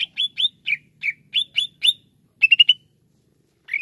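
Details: Greater green leafbird, cucak ijo, singing in a clip made as therapy for a bird that sings slowly: short whistled notes near the same pitch in quick pairs, then a fast trill of four notes and a falling note.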